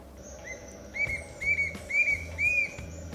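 Bright-rumped Attila giving a series of four loud, slurred whistles, each arched and slightly rising, about two per second, over faint background hiss.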